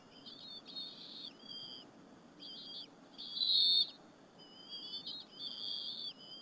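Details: Bald eagle chicks eating squirrel with their mother at a Berry College nest, afternoon of April 30, 2015, live camera. A string of shrill whistled calls, short chirpy notes then a loud sustained wavering whistle and further drawn-out phrases.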